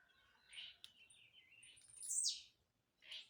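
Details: Jumping blue-black grassquit song: a soft chirp, then a steady thin whistle and a loud high note sweeping down, ending with another short burst, over a quiet background.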